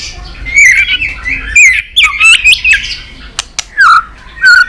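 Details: White-rumped shama singing in contest style, long-string song: loud, rich whistled phrases that bend and warble, separated by brief gaps, ending with lower slurred whistles and a few sharp clicks.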